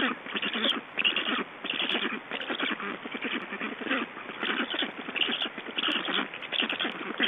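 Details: Estonian Black storks at the nest while being fed, 18 June 2012: harsh, stuttering pulsed call bursts lasting about half a second each, repeated roughly every second with short gaps, against constant background noise.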